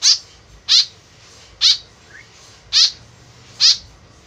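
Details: Harsh, nasal calls of a white-breasted woodswallow used as a lure, five rasping bursts repeated roughly once a second against light hiss.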